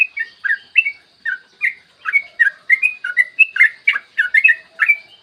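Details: Yellow-vented bulbul lure song in the long-rolling chatty style: fast, clear, bubbling notes that slide up and down, delivered in a lively continuous run with a faint low whistle in the background.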